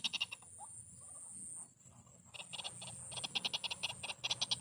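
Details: Female white-breasted waterhen calling aggressively: a few sharp pulses, a short lull, then an accelerating train of rapid harsh notes, roughly six per second, with a continuous high-pitched whine behind.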